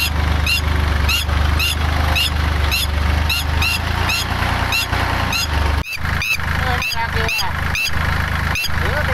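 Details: A female red-wattled lapwing guarding her eggs in a rice field being ploughed in Kamphaeng Phet, Thailand, on May 11 screeches sharp, shrill alarm notes about twice a second at an approaching tractor, over its low engine rumble.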